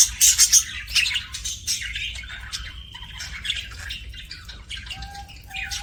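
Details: Pet budgerigars making happy chirping sounds: bursts of high, scratchy chatter and squawks, with short warbled notes and a few thin whistled tones near the end.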